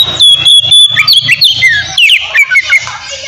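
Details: Oriental magpie-robin giving 'ngeplong' fighting song to stir aggression and breeding mood in young birds: sharp whistled slurs and chattering notes over a low, pulsing background rumble.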